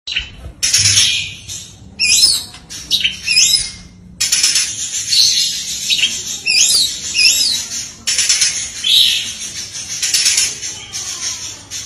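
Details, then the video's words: Oriental magpie-robin song used as a training recording, with rapid-fire bursts of phrases full of varied notes: loud whistled slurs and sweeping high notes broken by short pauses, over steady hissing noise. "full tembakan beruntun masteran burung Kacer full isian"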